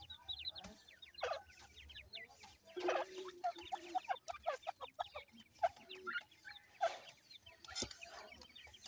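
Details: Grey francolin chicks feeding call in busy overlapping series of high, quick, rising peeps, some in fast trills. Scattered louder knocks sound at intervals.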